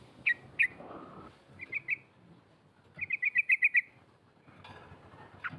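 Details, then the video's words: Female sooty-headed bulbul calling to provoke rivals, lure recording: a few scattered sharp chips, then a quick rattling burst of about eight notes, over soft background murmur. "SUARA TRUCUK BETINA NGEROL COK COK MEMANGIL LAWAN"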